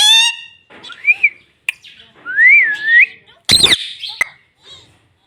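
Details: Pet green ring-necked parrot talking at home: a loud harmonic nasal note opens, then rising and falling whistled glides, a harsh broadband squawk near the end, and short chirps between quiet gaps.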